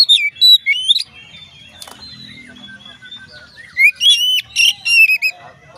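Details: Oriental magpie-robin song used to trigger other magpie-robins: loud sweet whistled phrases at the start, a quieter stretch of thin sustained notes, then another burst of bright rising whistles and squeaky slurs.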